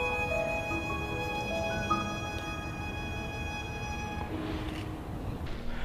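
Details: Sustained violin and string music with held tones, with no animal sounds.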